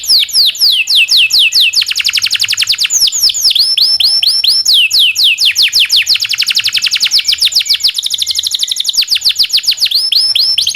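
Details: Domestic canary delivering a long rolling song meant for training canaries: nonstop fast series of falling whistled sweeps, dense trills and rising chirps, varied in pace.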